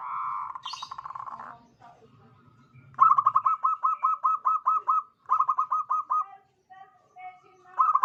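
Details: Local Indonesian zebra dove singing a crisp, crystal-clear song used as a lure for other birds: rapid rolling coos repeated in bursts at a steady tempo, with a short pause between phrases and faint low background noise.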